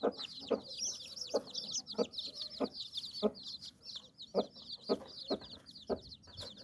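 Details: Hen with her brood of chicks under her wings, giving soft low clucks at irregular intervals of roughly half a second to a second. The chicks chirp constantly above her in thin, high, rising peeps.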